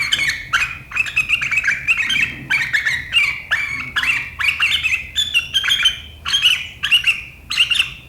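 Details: Sooty-headed bulbul in sharp riwikan chattering style, said to set rivals chattering, recorded 7 April 2023; dense run of rapid, sharp, slurred chirps repeated about twice per second without pause.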